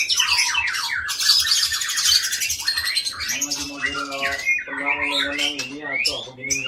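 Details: Long-tailed white-rumped shama from Aceh, Indonesia, kept for breeding: dense, harsh scratchy phrases and high chatter, followed by lower buzzy harmonic notes repeated in series, possibly mimicry, above a steady faint low throb.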